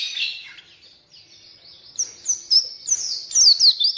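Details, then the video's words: Oriental white-eye song used as a lure and tutor for reluctant white-eyes: a hoarse high warble opening, then a run of sharp, high descending chirps that quicken toward the end. "burung pleci gacor!!! efektif untuk pancingan dan masteran pleci yang malas bunyi"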